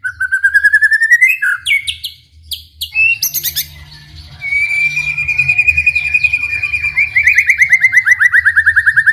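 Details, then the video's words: White-rumped shama singing to provoke other shamas into song; long rolling series of fast repeated whistled notes, rising then level and falling, broken by a few sharp chips, over low hum. "MURAI BATU GACOR COCOK UNTUK MEMANCING MURAI SUPAYA RAJIN BUNYI AUTO NYAUT IKUTAN GACOR | SHAMA BIRD"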